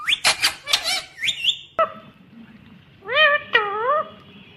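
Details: Talking green rose-ringed parakeet gives quick shrill rising syllables, then after a short gap two loud, drawn-out arching nasal notes like spoken words.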